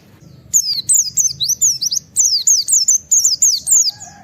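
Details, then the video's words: Wild-style white-eye 'nembak wit wit' calling, meant to provoke other white-eyes into calling. A rapid run of high, thin, zigzagging whistled notes, each sliding down, delivered in two bursts with brief gaps, over a faint low background hum. "Suara Burung Pleci ngalas Nembak Wit Wit memancing Semua Pleci ikut Nembak Buka Paruh"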